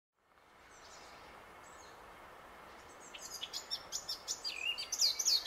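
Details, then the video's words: In summer in the Middle Vistula Valley (Natura 2000), Poland, a Eurasian blackcap sings: a quick, scratchy chatter building into brighter, louder fluty phrases, over a steady background hiss. "Kapturka i jej śpiew"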